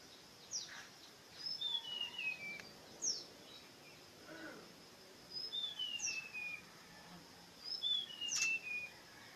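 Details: Songbird singing a clear whistled phrase of high notes that step downward in pitch, repeated three times at roughly three-second intervals, against a faint steady background hiss.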